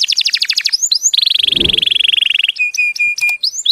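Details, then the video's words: Canary singing for mating, loud and strong: a fast pulsed trill of high notes, then a long buzzy rolling trill, followed by clear repeated whistled notes and rising chirps. "Strong and awesome canary singing"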